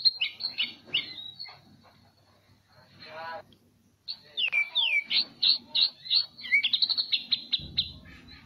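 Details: Competition white-rumped shama of Medan type, national champion at the Presiden Cup 2018, delivering cililin-style shots: quick high whistled notes and slurred phrases, a short pause, then a burst of rapidly repeated sharp chips.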